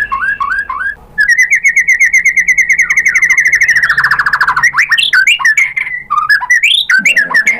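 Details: White-rumped shama song used to lure other shamas: a few looping whistles, then a long rapid trill gliding slowly downward, followed by varied sweeping and warbled notes.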